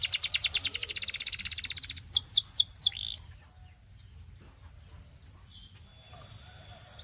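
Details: Male Belgian canary song: a fast pulsing trill about two seconds long, then several sharp sweeping notes, a pause with faint sounds, and a quiet high roll at the end.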